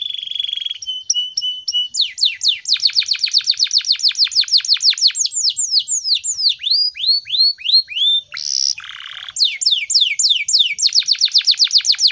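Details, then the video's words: Morning canary song played as a tutor for other birds to learn: long varied phrases of rapid repeated downslurred whistles, steady held tones and a brief harsh buzzy burst, continuing almost without pause, clean background. "PANCINGAN SUARA BURUNG KENARI GACOR PAGI HARI"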